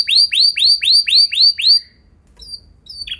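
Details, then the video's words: Canary singing for training other canaries: seven loud arched whistled notes repeated about four times a second, then a short pause and faint high notes. "Pancingan Burung Kenari Ampuh Bikin Kenari Lain Auto Gacor Ngeroll Panjang | Canary Singing"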